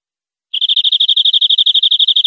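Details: European greenfinch song from a clean tutor recording used to train captive greenfinches: after half a second of silence, a fast, even trill of bright, high notes at about nine notes per second runs steadily to the end.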